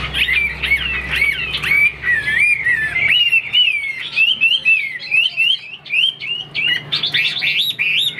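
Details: Chinese hwamei kept in a cage in Vietnam, a fighting bird that fans and plays its wings, tall stance. Fluid whistled song of twisting, warbling notes. A low steady hum fills the first three seconds, then the song carries on alone.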